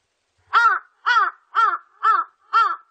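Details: Large-billed crow giving five harsh, hoarse caws, each about a quarter second long and spaced roughly half a second apart, evenly repeated and clean against a silent background.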